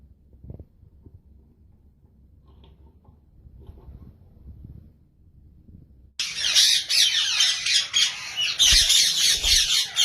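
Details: Ringneck parakeet: near silence with faint low thumps for six seconds, then loud harsh rasping screeches burst in, overlapping and repeated several times a second until the end.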